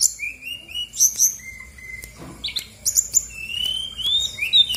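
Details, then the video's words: Singing female brown-chested jungle flycatcher of Bali origin, used to coax silent birds into responding. Mixed high and lower drawn-out whistles, sharp upswept notes and short chirps in an irregular, lively sequence. "PANCINGAN SRDC GACOR BONGKAR ISIAN/BURUNG MALAS BUNYI AUTO EMOSI RESPON NYAUT!!!"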